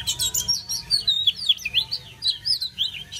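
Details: Oriental magpie-robin singing to welcome the coming of summer: a fast, varied stream of clear whistles that swoop up and down, with a low hum underneath.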